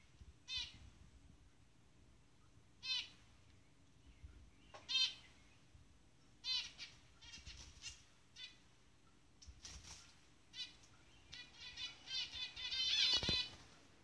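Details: A pair of zebra finches in the jungle giving nasal, harmonic-rich calls spaced a few seconds apart, becoming quicker and clustered toward the end, over a quiet low background hum.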